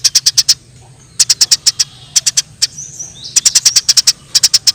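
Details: Wild Eurasian tree sparrows fighting, calling in clipped, high chirps grouped in fours and fives, each group separated by about half a second of near silence.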